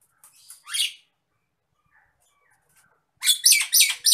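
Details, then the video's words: Agitated Nias hill myna recorded to train other songbirds: a short rasping call, a pause with a few faint chirps, then a fast run of four loud, grating squawk bursts. "MASTERAN BURUNG JALAK NIAS NGAMUK"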